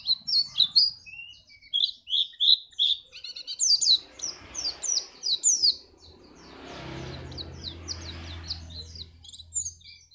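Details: Song of the pleci, a white-eye, used to prompt contest birds to sing: lively high twittering and chirps for several seconds, then thinner notes over a swelling low rumble of passing traffic.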